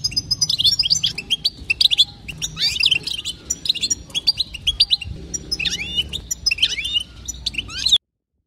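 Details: Calls of a female European goldfinch meant to set male goldfinches singing: busy, high, liquid twitters and short trills in bursts, stopping abruptly near the end.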